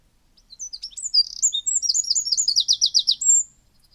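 Eurasian wren song: a loud, explosive rush of high, sharp notes and fast trills over about three seconds, ending in a dry rattle.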